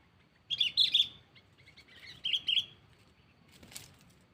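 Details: Sooty-headed bulbul calling a rival, used as a lure bird without traps: short bright chirping notes in two bursts, then a further pair of clear whistled phrases, with a faint rustle near the end.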